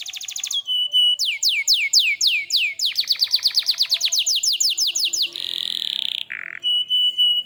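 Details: A gacor canary pours out its song: bright ringing notes, then a long run of quick downslurred whistles repeated several per second, a steady buzzy tone, and a brief lower note before more trilling.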